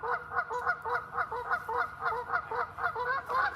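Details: At Lake Joanis, a goose gives loud, nasal, two-toned honks in a quick steady run, several each second. It is a sentry call alerting the resting flock and telling the people nearby it is time to move on.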